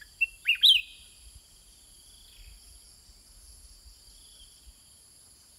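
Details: Caged sooty-headed bulbul trading song with wild birds: a short burst of quick, rolling whistled notes at the start, then mostly a steady high insect drone with faint chirps.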